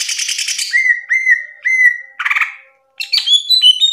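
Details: Greater green leafbird on a mastering recording, a chattering burst followed by three clear, rising, slurred whistles, another rattle, then high varied whistled notes.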